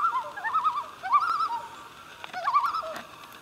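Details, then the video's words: Loons on Pardee Lake, Vilas County, Wisconsin, about 15 miles east of Mercer, heard in the morning giving wavering, yodel-like mid-pitched tremolo calls in overlapping runs about once a second, with quiet gaps between. "loons singing"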